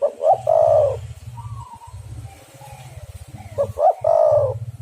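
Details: Calling spotted dove (tekukur) used as trapping lure; two full phrases, each two short notes followed by a longer mellow coo, nearly four seconds apart, with a loud continuous low droning hum in the background.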